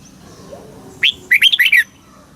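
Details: Red-whiskered bulbul in Thailand, a caged bird whose southern master-style song is played to excite other caged birds and tutor chicks; one rising note followed by a quick burst of four chirpy warbled notes.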